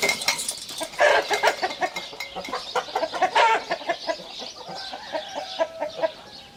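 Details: Domestic chickens, with a rooster present, making a busy stream of short clucks and squawks; overlapping calls from several birds repeat rapidly, with a louder harsh outburst near the start and another past the middle.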